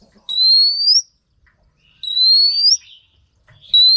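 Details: Female Oriental magpie-robin giving long, clear whistles that climb steadily and finish with a brief upward lift, two full notes and the start of a third, to excite males.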